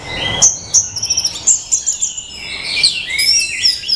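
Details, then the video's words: Orange-headed thrush song: a varied run of high, sweet whistles, quick chattering trills and sliding notes, changing phrase every second or so. "Tiếng chim Hoét lửa"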